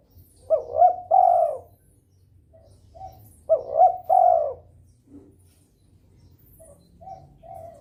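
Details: Breeding-mood spotted dove coos to stimulate rival doves to call: two phrases, each a pair of brief rising notes and a long falling coo, then a stretch of faint low murmuring notes.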